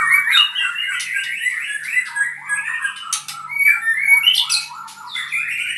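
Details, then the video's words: Albino white-rumped shama from Purwokerto delivers a fast, nonstop jumble of warbled whistles, chattering notes and sharp high clicks for nearly six seconds, with a faint low hum behind. "murai albino"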